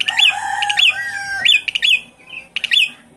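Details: Javan pied starling song used as a lure to get a silent captive bird singing again: loud ringing whistled phrases with quick upward sweeps, mixed with lower buzzy nasal tones, in bursts about every second.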